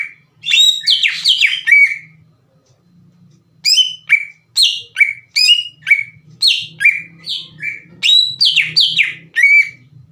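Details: Lure song of a greater green leafbird, used to rouse rival cucak ijo: rapid bursts of clear, downslurred whistles and chips, a dense run at the start, a pause, then a long string of quick repeated phrases.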